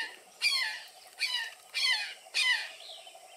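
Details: Brown jay at Santa Margarita Ranch near Salineño, South Texas, giving four loud, harsh, down-slurred screams, one about every three-quarters of a second, with a faint background hiss.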